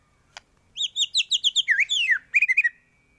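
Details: White-rumped shama song used as a master recording for training other birds to sing: a fast run of bright repeated whistled notes, then swooping downslurred phrases and a quick closing trill of chirps, with a faint steady hum behind.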